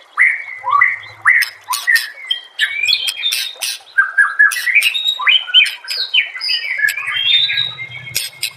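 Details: Master song of a white-rumped shama for training other shamas: continuous varied phrase of clear whistles, upward sweeps and scratchy harsh notes, a faint low hum underneath.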